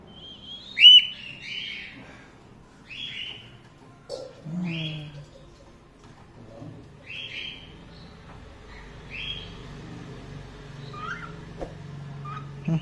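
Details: Cockatiels at a breeding farm holding about 30 pairs of varieties such as grey, lutino, albino and pied birds. They give clear whistled calls that rise then slur downward, spaced a second or two apart, with a faint low voice nearby.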